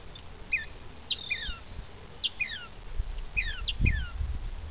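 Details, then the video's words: A banded Gray catbird practising its song, mimicking other species, gives a loose jumble of quick, squeaky, slurred notes, several sliding downward, in irregular bursts over a low rumbling background. "Catbird Practicing"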